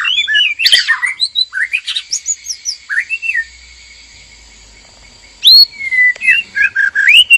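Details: White-rumped shama male and female in a breeding enclosure, singing to stimulate mating: a lively run of varied warbled whistles, a quiet pause of about two seconds, then loud sharp whistled phrases resume.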